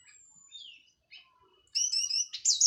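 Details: Orange-headed thrush, a local Cililin bird just finished moulting, singing in a clear, open style: thin high whistles and a falling note, then a loud burst of rich, warbled phrases toward the end.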